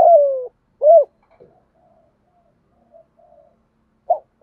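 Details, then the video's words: Spotted dove in the 'thổ pha gù thúc' voice style, a recording used to stimulate doves kept by keepers: a low coo phrase with a drawn-out falling note, a short looped coo, then quiet murmurs and another coo. "cu gáy giọng thổ pha gù thúc Kèm gáy gọi nhiều"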